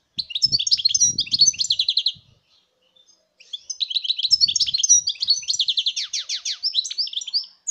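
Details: European goldfinch, 2019 recording: two long bursts of rapid, tinkling, twittering song separated by a short pause, with soft low rumbling knocks beneath the first phrase and the start of the second.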